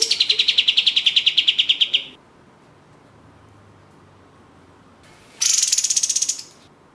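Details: Lure ('pancingan') recording of an orange-spotted bulbul singing 'gacor' for bird contests: a two-second run of rapid, harsh, evenly pulsed notes, a long silence, then a shorter, higher-pitched burst of the same rattling notes.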